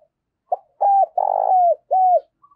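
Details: Spotted dove decoy giving a provoking fighting call: one phrase of a short opening coo, then three longer, mellow coos, each bending downward at the end, on a silent background.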